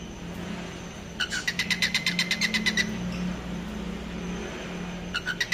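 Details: Falk bird call given as a sign of wanting to mate: a quick burst of about twelve sharp, evenly spaced chirps lasting under two seconds, then a short second burst, over a steady low engine-like hum.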